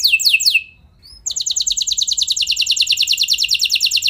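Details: Canary song for stimulating other canaries into long rolls: quick descending notes, a short silence with a faint chirp, then a sustained rapid high trill of tightly repeated notes.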